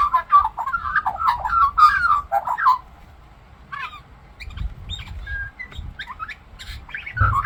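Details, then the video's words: Australian magpie singing and mimicking other birds: a rich run of warbled, fluting and gurgling notes for about three seconds, then quieter scattered chirps and squeaky whistles, with a louder burst at the end. "Talking Australian Magpie Sings and Mimics Birds"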